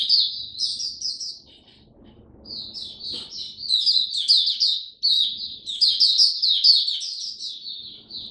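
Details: Oriental white-eye, a caged songbird, giving its 'raja' song: quick high chattering phrases, a short quieter pause, then a longer unbroken run of slurred twittering notes that grows stronger.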